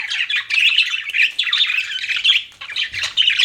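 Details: Pet budgerigars chirping in a dense, continuous stream of scratchy warbled notes and squawky chatter, overlapping with no real pauses.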